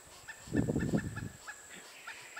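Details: Female Pileated Woodpecker chick, near fledging, in a nest cavity at Chassahowitzka WMA while adults coax her out, gives a harsh, rasping half-second begging burst with a faint high note repeated steadily behind it.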